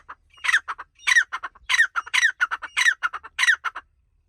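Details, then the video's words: Francolin giving its long call in forest: loud, harsh, squawking phrases of several rapid notes, the series repeated about every 0.6 seconds over four seconds, with no other clear sounds. "The long call of the pheasant, francolin birds voice in forest"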